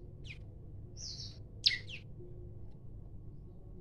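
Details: Male olive-backed tailorbird, described as singing vigorously with varied phrases while challenging to fight, recorded on a phone: a few scattered high, downslurred chirps and one thin sustained whistle, over a low background hum.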